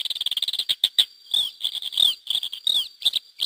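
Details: Lesser grey shrike pair and chicks released by hacking in 2009, Lleida, Spain; a fast ticking series of notes slowing into louder squeaky, downslurred chirps, over a constant thin high tone.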